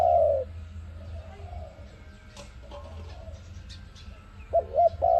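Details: ARIMIX dove cooing as a trapping lure: one long falling coo at the start, a quiet gap with faint bird chirps, then a stuttered double note and another coo at the end.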